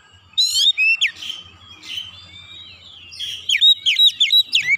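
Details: Oriental magpie-robin singing 'nembak' and unloading its 'isian' phrases. Loud piercing whistled notes open the phrase, a softer rambling section follows, then a fast string of sharp, ringing whistles.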